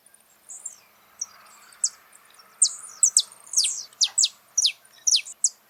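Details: Saffron finch recorded in nature, starting with sparse faint chirps that build into a fast, loud run of high downward-slurred notes toward the end.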